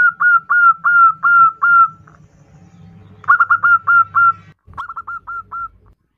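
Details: Female zebra dove calls to the male with a string of loud, even, whistled coos. After a pause comes a quicker stuttering burst, then a softer clipped series, with a low hum throughout.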